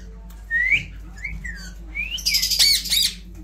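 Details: Indian ringneck parrot talking, with three clear upward-sweeping whistles followed by a burst of harsh, raspy squawking chatter.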